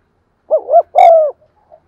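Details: Spotted dove cooing to excite wild doves: a mellow double hoot then a longer sustained hoot with a faint click at its start, clean and loud.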